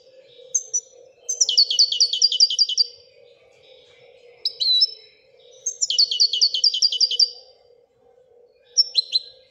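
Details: Royal goldfinch singing sharp rising whistles followed by long, fast trills of bright repeated notes, twice in sequence, with a steady electrical-like hum underneath.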